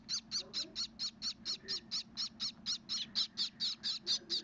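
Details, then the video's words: Hand-raised Gouldian finch chicks, possibly blue, beg while being fed with a steady run of high, raspy, buzzy pulses, about four each second, over a faint low hum. "gouldian blue babies feeding"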